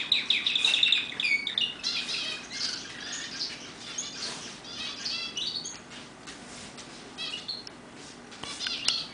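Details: Roller canaries in a home aviary singing fast, rolling high trills and chattering twitters without pause, with overlapping chirps suggesting more than one bird.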